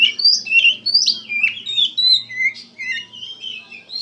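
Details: Oriental magpie-robin (kacer) in full, emotional gacor song: rapid run of clear whistled and slurred notes, rising and falling, with brief pauses; faint low hum underneath.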